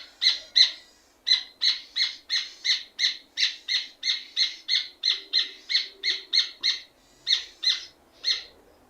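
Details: Red ovenbird (rufous hornero) singing energetically: a long run of sharp, ringing notes delivered about three per second, briefly pausing after the first two, then pouring out steadily before spacing out toward the end; faint low background hum.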